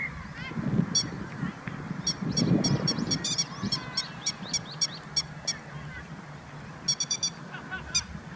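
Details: Grey-headed lapwing parent keeping watch over its chicks in late April near Kyoto, Japan; sharp, harsh kik notes in quick bursts, repeated through the clip, with a low rumble of background noise.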